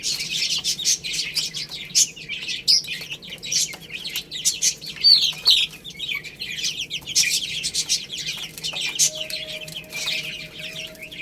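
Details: Chicks feed on rice with a continuous chorus of thin, high chirps, louder bursts around five seconds, and a faint steady hum late in the recording.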